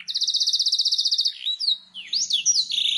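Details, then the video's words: Canary master song used to prompt birds to sing: a long even trill of about twenty rapid repeated notes, then swooping whistled slurs and a short buzzy ending. "Suara burung kenari masteran ,langsung nyaut"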